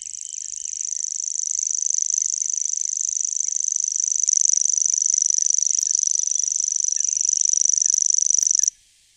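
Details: A grasshopper warbler, a secretive bird of damp meadows and marshes with tall grass that usually reveals itself only by voice, reels out a long, high, dry trill, unbroken like a cricket or a fishing reel.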